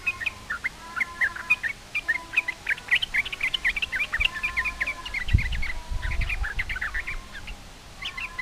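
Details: Yellow-vented bulbul song aimed at provoking rivals to answer: tumbling clusters of sweet chirps and short whistles, with a thud and low background noise midway.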